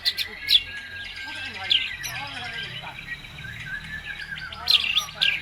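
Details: White-rumped shama singing, used as a lure to provoke other birds to sing: bursts of sharp, high chirps and quick trills separated by short pauses, with fainter curving whistles and chatter underneath.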